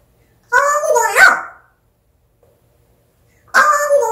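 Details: African grey parrot talking: two short voiced, speech-like phrases with rich harmonics, separated by about two seconds of silence.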